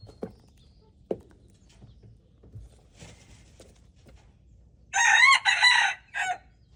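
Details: Red junglefowl at play, recorded February 13, 2025. A few sharp clicks and taps are heard first. Then a single loud, raspy crow comes in three parts: a rising opening, a long wavering middle and a brief closing note.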